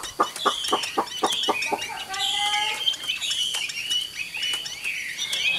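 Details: Caged Chinese hwamei, an old wild-caught bird with a good voice, opens with a fast series of dry clicking notes, then switches to bright whistled phrases and high slurred warbles.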